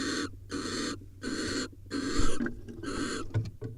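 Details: Barn owls during mating at a nesting camera in Israel, with harsh hissing screech bursts about half a second long, repeated roughly every second, over a steady low hum and some clattering knocks near the end.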